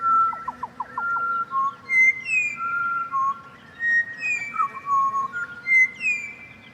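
Pied Butcherbird singing rich, fluted whistled phrases that rise and fall, with a quick run of short notes at the start and pure sliding notes after. Faint low hum beneath.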